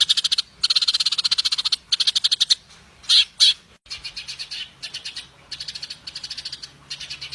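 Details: Cucak cungkok, the grey-cheeked bulbul, a kept songbird in lively full song: long rapid rattling trills of buzzy repeated notes, broken by short gaps and two louder thick notes midway, with a low steady hum behind.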